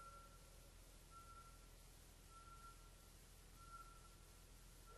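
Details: Eurasian pygmy owl (Glaucidium passerinum) song at 21:00 on 22 November 2018: soft, even piping whistles on one mid-pitched note, roughly one per second, over a steady low rumble.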